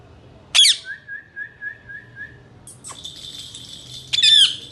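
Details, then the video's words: Indian ringneck parakeet, a male talking pet, gives a sharp screech followed by a steady row of soft, even, whistled pulses, then another loud, rasping screech. "Best talking male parrots"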